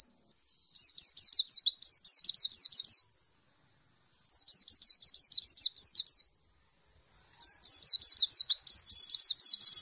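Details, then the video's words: Dakun white-eye from Merapi, 'ngalas' song style: three separate bursts of fast, high, descending twittering notes, each lasting two to three seconds, divided by short silences. "Dakun Merapi Ngalas Plong Bukpar Sobek-Sobexxx"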